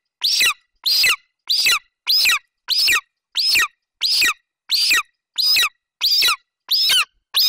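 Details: Young golden eagle, a male, at the nest in Bucovina on 27 July 2021, calling while standing over a partial Eurasian hare the mother delivered. He gives a regular train of piercing, squealing cries, about twelve in seven and a half seconds.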